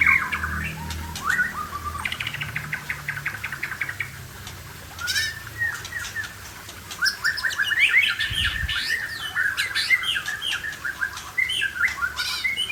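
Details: Aceh white-rumped shama singing a busy run of varied whistles and trills, with sliding and stuttered notes around mid pitch, over background noise, clicks and a low hum.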